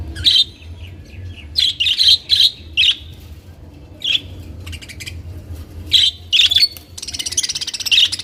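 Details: Captive budgerigars giving repeated high chirps in clusters, then a rapid, rattling chatter at the end, with a low steady hum in the background.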